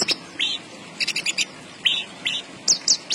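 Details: Javan bush lark (branjangan) singing energetically: clusters of quick high chirps alternating with slurred whistles, bursts every half second or so over steady low hum.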